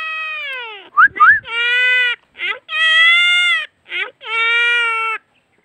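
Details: Angry Indian (common) myna (Acridotheres tristis), described as always ready to fight, "talking" in mimicry said to sound like "aaun kya": about five bursts of drawn-out, nasal, speech-like notes broken by quick rising squeaks.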